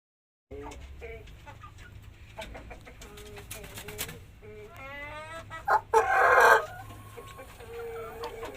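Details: Pelung chicken crowing after ngorok, a throat disease with mucus in the throat that alters the crow; short harmonic clucking notes, then a rough, buzzy, strained burst near the end over a steady low hum.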